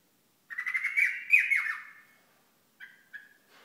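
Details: Hasawi bulbul from Al-Ahsa with a rapid, rattling, buzzy phrase lasting about one and a half seconds, ending in slurred dipping notes. Two short clipped calls follow after a pause.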